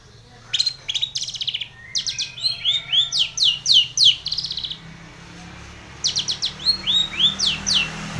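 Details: Long-tailed shrike singing a varied phrase of rapid chirps and quick whistled sweeps, with a pause of about a second before a final burst of chirping notes.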